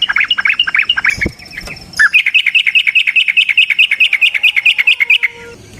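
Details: Yellow-vented bulbul giving long rapid fighting song, played as a lure to draw a reply: fast stuttering whistled notes, then after a short break a steady train of about twenty quick even chips.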